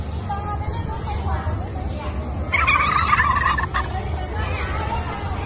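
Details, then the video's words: Turkey gobble lasting about a second, rapid and rattling, over steady low noise with faint voices. "#เสียงไก่งวง #ไก่งวง #turkey #turkeysound"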